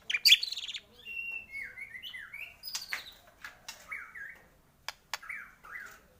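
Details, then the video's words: White-rumped shama song used as a lure to excite other shamas into singing: soft, varied whistled phrases, sliding and slurred notes with a few sharp clicks, fairly quiet against a clean background. "pANCINGAN pendongkrak emosi burung murai batu cepat gacor mudah bongkar isian"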